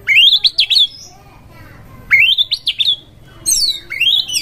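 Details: Oriental magpie-robin in fighting mood, hunting for a rival: three loud phrases, each a rising whistled sweep ending in rapid zigzag notes, separated by roughly one-second pauses over faint background hiss.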